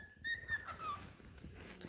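A cockatiel gives a clear whistled phrase that steps down in pitch over about a second.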